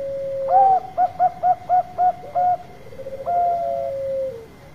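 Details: Bangkok zebra dove giving its lure song: a low purr, then seven crisp rhythmic coos at a brisk even pace, followed by a rolling trill and a long drawn-out coo; faint constant high tone.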